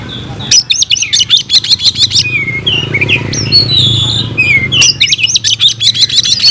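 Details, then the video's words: Oriental magpie-robin, a caged Indonesian songbird, singing a fighting song: quick stuttering runs of high chips, a stretch of slurred whistles over a low hum, and another rapid chattering run. "Kacer gacor tarung bongkar isian"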